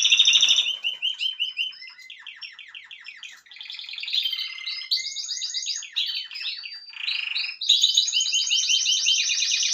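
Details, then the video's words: Young 2023 Spanish Timbrado canary in full song: long runs of fast metallic rolling trills and stuttering notes that switch between pitches, delivered loudly and almost without pause. "Timbrado Español"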